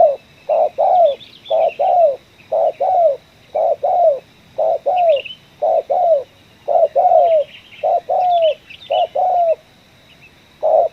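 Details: Spotted dove, a captured bird from a coffee plantation, giving the ngeruk, kuk 1 call: rounded cooing notes in close pairs, repeated roughly once a second, with soft twittering of small birds in the background.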